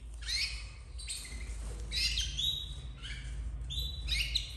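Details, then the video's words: Domestic canary chicks, red frosted, bred in captivity in 2024, producing scratchy, shrill chirp clusters roughly every second over a steady low hum. "Filhotes de canário doméstico 2024 vermelho nevado"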